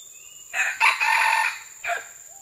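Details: Red junglefowl recorded June 12, 2011, giving a loud harsh crow: a short opening note, then a longer broad strained phrase and a clipped final syllable, over a steady high insect hum.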